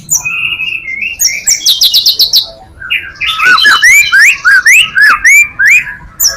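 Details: White-rumped shama full-material song for luring other shamas: sustained whistles and fast high trills give way to a rhythmic series of loud, upswept whistled notes, roughly three or four per second.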